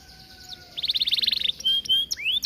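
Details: Short phrase of an Atlantic canary singing vigorously in an aviary, a tutor song: a fast buzzy trill of quick repeated notes, then two level whistles and a rising slurred note.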